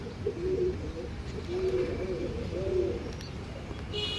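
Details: Andhra line pigeon cooing: low, rolling coos repeated in several bursts across the clip, each swelling and fading, with a faint hum in the background.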